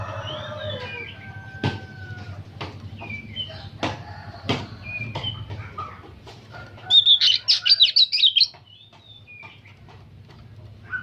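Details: Nonstop-singing old oriental magpie-robin: after soft scattered whistles among sharp knocking sounds, a loud, fast rattling volley of high, chattering notes in nyerecet style bursts out for about a second and a half.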